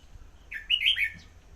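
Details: Red-whiskered bulbul with one short, cheerful song phrase: slurred whistles that climb and dip in a quick rolling sequence, background otherwise quiet.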